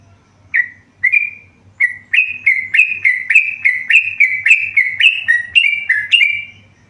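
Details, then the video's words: Tame yellow-vented bulbul sings vigorously: after three spaced opening notes comes a steady string of about fourteen loud, slurred whistles, each dipping and rising, delivered roughly three per second with no other sounds. "burung trucukan gacor jinak"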